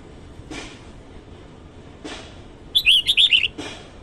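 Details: Red-whiskered bulbul singing in the morning: a short, quick phrase of bright warbled chirps, rising and falling, rings out after several dull thumps.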